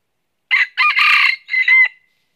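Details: Red junglefowl crow recorded while trapping in northern Vietnam with a red-eared lure bird; a shrill, buzzy three-section call ending in a drawn-out whistled note, heard cleanly without background noise.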